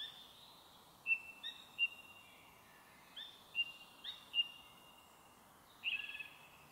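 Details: Evening song of a song thrush in a forest, 1 May 2023, recorded on an audio recorder; loud clear whistles, some repeated twice, with varied shorter notes between and a quiet background.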